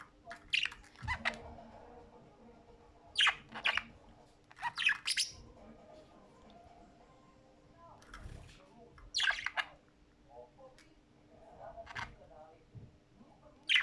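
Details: Budgerigars at play chatter in sharp, scratchy squawks and chirps, coming in irregular bursts.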